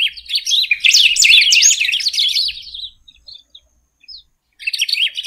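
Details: Singing golden-billed saltator, known locally as pepitero or picahueso, pours out a long, fast, jumbled phrase of sweet whistled and chattering notes, fading into scattered soft notes before a new loud phrase starts; otherwise silent background.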